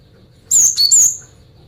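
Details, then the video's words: Luring song of a female cinereous tit aimed at males: one quick phrase of a long high whistle, a lower short note, then another high drawn-out whistle. "Suara Gelatik Batu Betina Gacor Mancingan Jantan"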